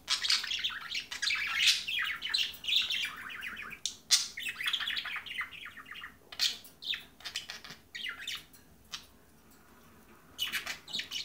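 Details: A baby budgerigar about 5 months old, sex unknown, chatters in fast scratchy warbles while learning to mimic the speech of a talking budgie.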